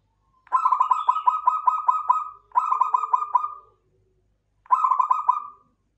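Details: Klowongan local zebra dove cooing in three phrases, each a long stuttering series of clipped, resonant notes that ends in a drawn-out tone. Faint lower hums fill the pauses.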